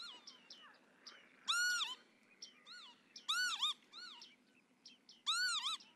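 Northern lapwings giving wheezy, slurred 'pee-wit' calls, a loud arched cry about every two seconds, with fainter calls from other lapwings in between.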